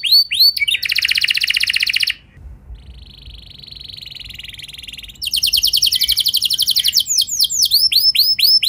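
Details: Canary trigger song to provoke rival canaries to sing: a loud, fast roll, then a softer buzzy trill for nearly three seconds, followed by another loud rapid roll and curving swept whistles.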